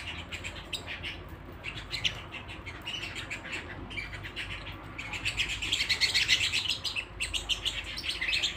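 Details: Canary singing at home: fast, high chirping trills and twitters, quieter at first and then swelling into a louder, denser burst of rapid notes before easing off.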